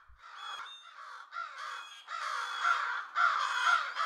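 Several American Crows give harsh, raspy caws in a rapid overlapping chorus, about two per second, growing louder toward the end.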